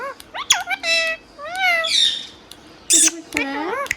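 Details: Pet green parrot talking in fast phrases: sliding, harmonic speech-like syllables, a drawn-out wavering note, a harsh high squawk burst and clicks.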